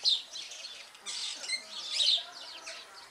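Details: Superb starling giving a short burst of high, scratchy chirps and squeaky notes, with loud bright calls near the start and around the two-second mark and quieter chatter in between.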